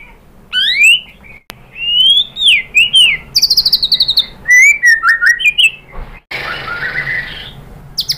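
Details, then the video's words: Lure song of a white-rumped shama: varied whistled slurs and rising notes, a burst of rapid high chips, then a harsh, noisy buzzing phrase before a short pause. "MURAI BATU jadi NYAUT BONGKAR MATERI TEMBAKAN cocok untuk PANCINGAN ¦ SHAMA BIRD"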